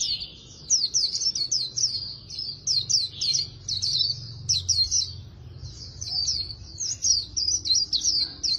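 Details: Very fast 'líu đấu' contest warble from an Oriental white-eye being trained, said to sound like a magpie-robin: continuous high-pitched twittering of quick slurred chirps, rising and falling in dense bursts for over eight seconds, with faint low background hum.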